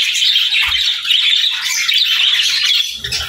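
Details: Budgerigars chatter in a lively, raspy warble of overlapping chirps that stays loud and even throughout.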